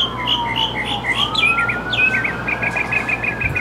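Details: Mockingbird pouring out a varied rapid sequence of warbled and whistled notes, shifting pitch, ending in a fast even string of short repeated chirps, with a continuous faint gliding tone underneath.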